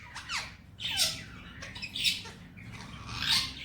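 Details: Male Indian ringneck parrot kept as a pet, talking in Hindi-Urdu words such as "Mitthu bete"; three loud, harsh, speech-like bursts about a second apart, with rasping high overtones and a soft room hum beneath.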